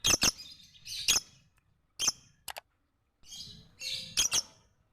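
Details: Lovebird singing for training other birds: repeated shrill, scratchy chirps in quick pairs, with brief buzzy smears between them and short silent gaps.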